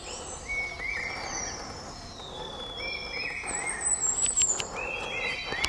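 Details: In May 2022 near Pelling, Sikkim, a large niltava (Niltava grandis) calls with thin, high, sliding whistles in short overlapping phrases, some rising and some level, over a soft steady forest hiss.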